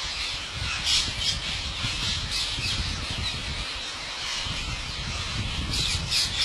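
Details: Wild parrots in a huge flock being fed by an Indian farmer at his house: a dense, continuous wash of harsh, overlapping high squawks with no gaps, plus low rumbling background noise.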